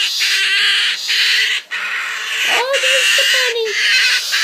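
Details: A two-month-old baby umbrella cockatoo acting up gives a harsh, raspy, hissing screech in long steady bursts, with a few brief lower nasal squawks mixed in, indoors.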